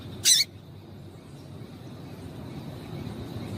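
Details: Female Double-collared seedeater giving a call meant to excite and set males singing: one short, sharp high chip near the start, then quiet background hiss.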